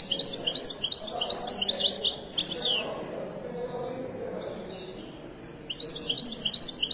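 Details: European goldfinch of the Moroccan wyedani type singing: rapid bursts of high, tinkling twitters and short trills for over two seconds, a pause filled with faint low background murmur, then the bright twittering resumes near the end.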